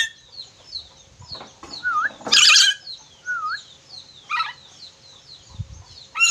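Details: Red-breasted parakeet from Sulawesi giving two brief looping whistled notes, separated by a loud harsh screech, while another bird repeats high thin chirps in the background.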